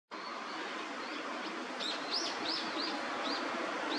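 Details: Many Eurasian wigeon on a pond in winter give short arched whistles, several in quick succession, over a steady hiss of wind or water.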